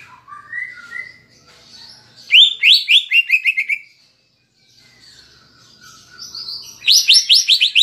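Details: Greater Green Leafbird (cucak ijo) in a cage singing with kapas tembak fill to provoke other birds; soft rising whistles, then a loud fast series of ringing chips, a pause, and another bright rapid chip series.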